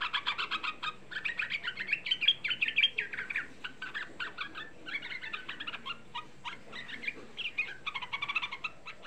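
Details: Young sooty-headed bulbul singing as a lure to stir other bulbuls into calling: dense, busy chattering phrases of bright slurred notes, several birds seemingly overlapping, with faint background hiss.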